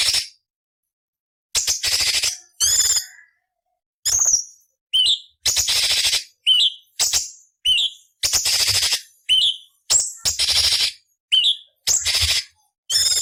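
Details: Ruby-throated bulbul (cucak cungkok) voice used as tutor for other songbirds, harsh variation style: after a silent start, a rapid run of rough buzzy notes interleaved with short whistled upslurs, growing denser toward the end.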